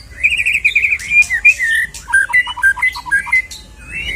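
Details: White-rumped shama singing, song meant to provoke a shama into fighting form: a run of rapid trilled whistles, then a rhythmic sequence of short downslurred notes repeated about twice per second.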